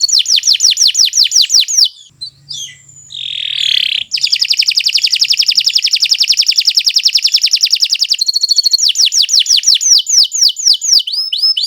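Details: Kenari Nusantara canary in long, non-stop song for training other birds: rapid repeated high swept notes, a brief rough burst, then an extended fast metallic trill and more sweeping phrases near the end.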